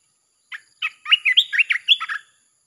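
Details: Red-whiskered bulbul in chopping song meant to lure wild birds: a couple of lead-in chirps, then a fast, continuous string of loud, liquid, up-and-down slurred whistles.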